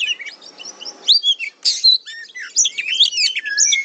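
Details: Kacer (Oriental magpie-robin) tutor song: after a faint hum, short loud bursts of harsh chatter and high slurred whistles tumble together in quick succession.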